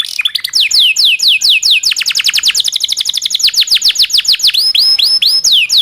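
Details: Local canary with long rolling song, for tutoring magpie-robins and other songbirds; descending whistles building into a fast continuous roll, ending with looped rising notes.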